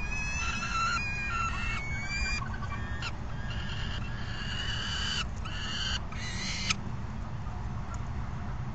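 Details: Falcon at an afternoon feeding, June 3 2021: raspy, harmonic call bursts cluster in the first seven seconds, then fade. A constant low hum fills the background.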